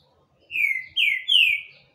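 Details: Green-winged saltator, singing a lot: three loud, pure whistles in quick succession, each sweeping downward and slightly longer than the one before, over a quiet background.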